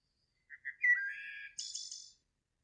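A Wood Thrush sings one phrase: two soft low notes, a rich fluting middle, then a high, shimmering trill. No other sounds are heard.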